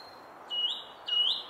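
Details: A song thrush singing at the Henry Moore sculpture repeats the same clear, high whistled phrase twice, a steady note rising at the end, over a faint background hum.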